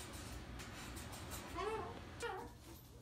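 A bare-eyed cockatoo gives two brief, tonal, slightly wavering calls about half a second apart, over a steady low indoor hum.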